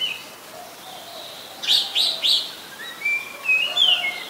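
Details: Oriental magpie-robin, a common resident of Ubon Ratchathani, Thailand, recorded 24 December 2020 with a Nikon P1000; a soft whistle, then three loud sharp notes in quick succession, followed by smooth gliding whistles.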